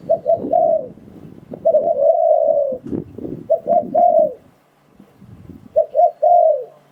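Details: Spotted dove calling, a recording used to lure wild doves into traps: clipped double coos lead into a long, slightly falling coo, phrases repeated with soft thumps and rustles between them.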